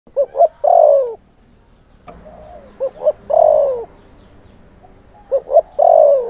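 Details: Spotted dove lure bird calling to provoke wild males; low hollow cooing in three bouts, each two short soft coos followed by a long drawn, slightly falling coo, repeated about every two and a half seconds.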